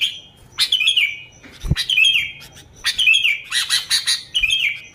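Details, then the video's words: Sooty-headed bulbul in lively, persistent original song used as a lure for other bulbuls: bright bubbly phrases of short warbled whistles with a few higher chirps, bursting out about every second, with one dull knock partway through. "Suara Burung Kutilang Gacor ASLI Tanpa isian, Ampuh untuk Pikat Kutilang bikin kutilang Ribut gacor"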